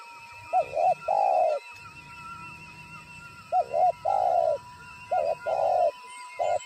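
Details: Spotted dove used as a calling decoy in trapping, reacting on sighting a wild bird: low hooting coos in two series, each two short notes then one long drawn-out note, with a steady high tone and faint chirps behind.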